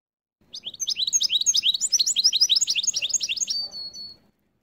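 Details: Hybrid of goldfinch and canary in a cage, wintertime, singing a lively burst of rapid high chirps about four per second, closing on a sustained thin whistle.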